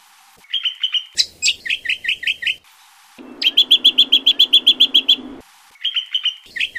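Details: Greater green leafbird singing, a recording meant as a lure and master song for training birds; clusters of sharp rising whistles alternate with a rapid, steady train of bright chirps, then more whistled phrases.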